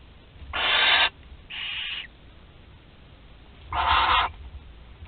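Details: Barn owl chicks at a nest in Théding, France, on 20 July 2020, one 13 days old and able to swallow prey whole; three harsh, broadband hissing screeches, each about half a second, separated by quiet gaps.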